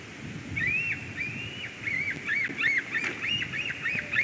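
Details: White-tailed eagle at its nest in Durbe, Latvia, 13 August 2023, as a ringed stranger eagle flies in; a series of fairly faint, slurred high yelps rising and falling, with a steady background hiss.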